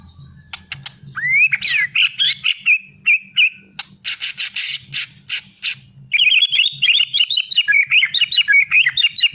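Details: White-rumped shama song with high looping whistles. Harsh, scratchy rasping bursts break in midway. It ends in a fast stream of bright, jumbled twittering notes over a faint low hum.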